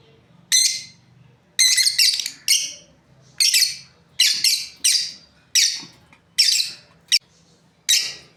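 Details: Shrill, scratchy chirps from a breeding pair of lovebirds, some doubled into quick stuttering notes, spaced roughly every half second to second; a soft low background hum.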